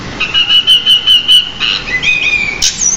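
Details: Caged pied bushchat in a song-training recording: a steady, slightly wavering high whistle pulsing about six times, then a lower sliding whistle, a brief rough burst and a final thin rising note.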